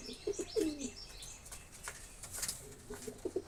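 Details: Pigeon coos: a few low, rolling notes at the start, a quiet gap with soft hiss and scattered ticks, then more short coos near the end.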